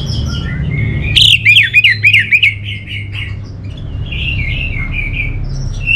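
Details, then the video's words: Song of a kept orange-headed thrush from North Bali, Singaraja: a loud series of quick, rolling whistled notes, followed by softer, continuous warbled phrases, over a low hum. "Suara ANIS MERAH"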